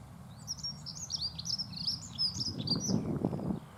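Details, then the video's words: Dunnock singing a pleasant song, a continuous rapid warble of thin, high, wavering notes running for almost four seconds, with low rumbling noise and a few soft thumps near the end. "L' AGREABLE BRUIT DE L' ACCENTEUR MOUCHET"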